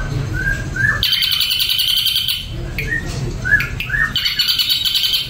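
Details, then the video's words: Ashy drongo singing after being given a doping supplement: short slurred whistles alternating with bursts of rapid high buzzy trills, over a low background hum. "SRIGUNTING ABU KENA DOPING PRODUK SEREM"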